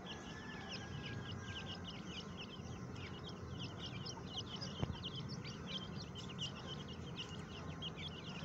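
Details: Captive grey francolin chicks in a breeding cage during breeding season, healthy and active: many high, thin peeping notes overlapping continuously in a busy chorus, with a single sharp knock midway.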